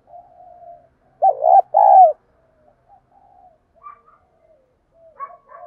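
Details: Decoy female spotted dove cooing in the 'giọng đồng' style to draw in wild birds: a soft lead-in note, then two loud, hoarse coos close together, followed by faint distant coos and a few short chirps.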